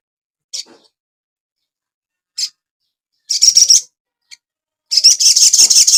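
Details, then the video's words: Caged Asian pied starling singing for cage-bird training: scattered sharp chips, then harsh buzzy rattling bursts with a shrill whistle running through them. Long silent gaps separate the bursts. "TERAPI BURUNG SOGON – MASTERAN AGAR CEPAT GACOR"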